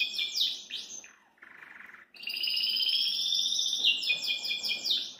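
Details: Belgian canary singing in a cage: quick descending slurred notes, a brief buzzy low phrase, then a long steady rolling trill rich in harmonics that breaks into rapid repeated downslurred notes.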